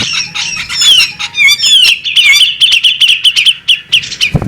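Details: Female bearded magpie robin pouring out slurred whistles that drop in pitch, then a steady string of short chirps at an even pitch, ending with a low knock.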